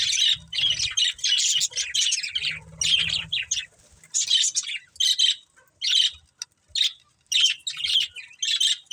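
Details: Pet budgerigars chirping in a family group: bursts of rapid, scratchy high-pitched chatter in short clusters, with quiet gaps between phrases and faint low rumbling underneath.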